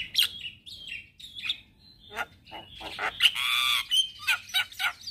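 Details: Male black-winged starling singing in the morning, used as a lure and tutor song for starlings: harsh squawky notes mixed with short whistles and buzzy bursts, irregular phrasing.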